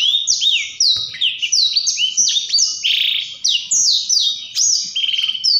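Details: Loud, continuous Blackthroat song in the ngerol style: a tight series of clear, high whistled phrases, each sliding down in pitch, chained with short buzzy trills and scarcely a gap.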